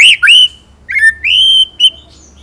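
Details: White-rumped shama singing actively, a full 'ngerol nembak' style: loud clear whistles sweeping down and then held flat, in four short phrases with brief pauses.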